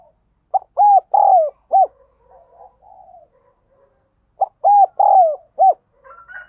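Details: Decoy spotted dove giving insistent cooing to lure wild doves quickly to the perch. Two loud phrases, each of short, hollow, rising-falling coo notes ending in a longer drawn-out note. Softer, distant coos fill the gap between them.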